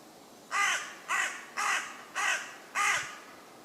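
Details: Common raven croaking from a tree in woodland in West Sussex, England: five harsh, hoarse, evenly spaced croaks, one roughly every 0.6 seconds, over a quiet background.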